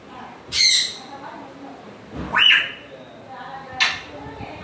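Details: Three rasping squawks from a grey parrot, about one and a half seconds apart, the middle one with a short upward whistled twist.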